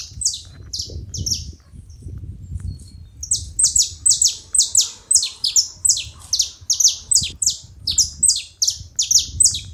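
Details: Saffron finches making noise at a feeding spot: a rapid chatter of sharp, high, downward-sliding chip notes, sparse at first and then dense and overlapping from the fourth second on, over a faint low rumble.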